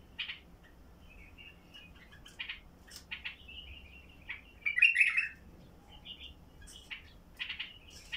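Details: Basra bulbul song in heavy-throated style for rousing silent bulbuls: sweet whistled notes and chirps, with a louder burbling phrase midway and quicker notes at the end.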